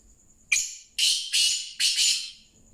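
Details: Black francolin call: a series of loud, harsh, buzzy notes, one short note followed by two longer grating phrases, each strongly pitched high and rasping, then a faint high tone fading out.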